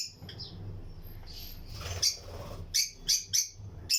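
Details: Lutino lovebird pairs in a flight colony aviary; after a quiet start, sharp shrill chirps sound in a short series of four evenly spaced notes, with low background hum.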